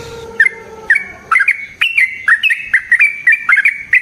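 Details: Sooty-headed bulbul (trucukan) singing energetically in long-roll style to provoke other bulbuls to answer: a low steady hum at first, then chirpy, gurgling two-note phrases that grow denser and faster toward the end.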